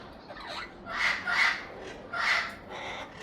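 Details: Young Amazon parrots making three rough, nasal squawks with a ringing tone, spaced about half a second to a second apart.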